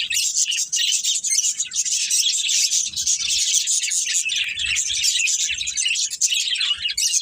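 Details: Breeding pair of budgerigars chirping in a steady, dense stream of high warbled twitters and squeaks without pause, with soft low thuds in the background.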